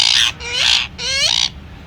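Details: Pet Indian ringneck parakeet producing two harsh, raspy, voice-like bursts, each with a low gliding tone underneath, separated by a brief pause.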